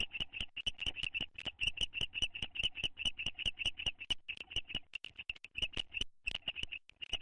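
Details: Owl pair bonding inside a nest box on May 9, 2011: rapid high chirping notes repeated about twice a second, steady and slightly uneven in spacing, over a faint low hum.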